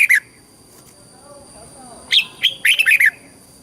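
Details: Red-whiskered bulbul southern-style master song, used to excite caged birds and train youngsters: one brief warbled note, a pause, then a quick cluster of bright chirping, bubbly phrases near the end.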